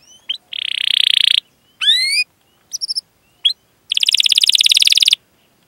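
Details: Canary in rolling song used as a lure for young canaries: a fast, buzzy trill, a short series of rising whistled notes, a few brief chirps, then a long rapid rattling roll, with silent gaps between phrases.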